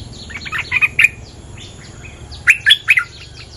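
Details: Bulbul, a territory owner jumping toward a lure call: two bursts of lively, bubbly chirped phrases about one and a half seconds apart, each of three or four sharp notes, with faint hum behind.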